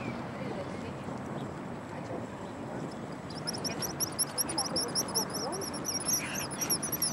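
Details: Tysties, or black guillemots, on the coast of Scotland in June 2010, a time of courtship displays. After about three seconds of sea and wind, a fast series of high, thin twittering whistles begins and continues to the end.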